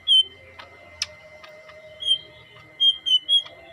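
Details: Green leafbird with a yellow head uttering clear, slightly down-slurred whistled notes in small groups, separated by faint clicks, over a constant high tone.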